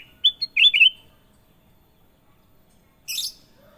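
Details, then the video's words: Sooty-headed bulbul singing a short bubbly phrase of clear whistled notes, first rising then a quick tumbling run of three or four slurred notes, followed after a pause by one brief harsh, scratchy burst; quiet background. "KUTILANG EMAS PALING MERDU! Suara Gacor Panjang"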